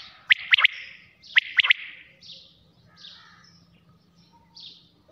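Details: Two sharp triple-syllable quail phrases sound at night, followed by quieter, buzzy chirps in the background.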